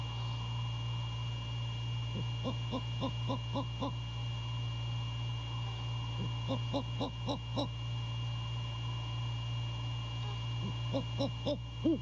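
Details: A male great horned owl calls at night, 1:24 AM on 6 January 2022, at a Savannah-area camera site: three separate bursts of quick, low, clipped notes, spaced by seconds of quiet under a constant mechanical hum.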